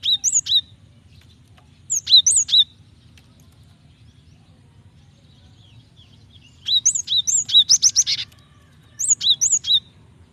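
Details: Java sparrow female calling to a male, used to provoke singing; four separated bursts of rapid, high, tinkling chirps with slurred whistles, one bout ending in a buzzy rattle, long quiet gaps between.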